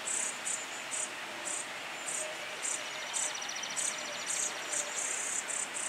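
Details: Brown-headed cowbird chick, a brood parasite raised by song sparrow foster parents; thin, very high begging notes in short bursts, repeated insistently about twice a second, over a steady background hiss.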